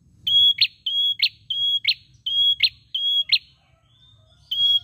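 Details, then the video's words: A tailorbird repeats a high, steady whistle ending in a sharp upward flick, about every two-thirds of a second, over a low background hum. "Prenjak diam jadi bunyi dengar ni"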